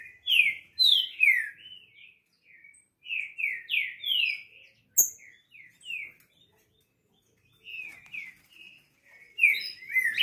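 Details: Crossbred (mestiço) green-winged saltator singing loudly: short phrases of slurred, descending whistled notes, each phrase a few quick notes, with brief pauses between and one sharp click midway.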